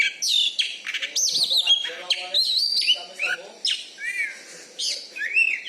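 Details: Champion kacer (Oriental magpie-robin) from Bengkulu, a loud caged songbird kept for contests, sings a fast medley of bright rising whistles, buzzy trills and quick chattering notes, phrases tumbling into one another.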